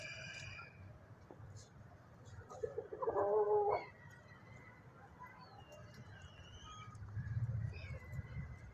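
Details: Rooster crowing in the morning: one hoarse, mid-pitched crow lasting about a second, with faint distant bird chirps and low rumbling background noise.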